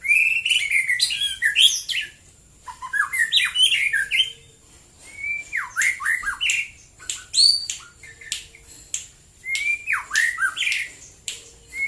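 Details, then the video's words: White-rumped shama, known locally as murai batu, singing in the morning: loud varied phrases of rich whistles, sharp downslurred notes and rising flourishes, given in bursts separated by short pauses. "KICAU BURUNG MURAI BATU DI PAGI HARI"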